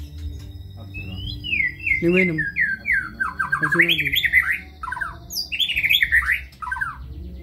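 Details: White-rumped shama, kebyok style, pouring out fast warbled and trilled whistles with harsh squawking notes interspersed, and short low harmonic sounds in the background.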